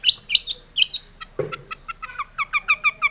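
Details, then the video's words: Long-tailed shrike song meant to provoke other shrikes into singing; twisting chirps give way to a brief low rustle, then a quick series of short clipped notes repeated rapidly. "SUARA cendet gacor ARECARE pancingan cendet agar bunyi EMOSI"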